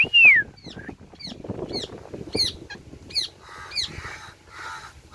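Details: Rose-ringed parakeet playing on a tree: opens with one loud, arched, whistled note, then a run of quick, thin, downslurred chirps and short squeaks with brief raspy notes, over faint rustling.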